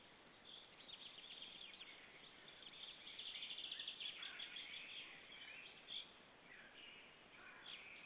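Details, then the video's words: White-tailed eagles at a nest in Saunja, Estonia, evening of 26 April 2013, both birds shouting at another white-tailed eagle; fast chattering high yelps build mid-clip, then scattered sharper notes over steady background hiss. "Saunja Sulev arrived shouting than came Linda, both shouting to another WTE"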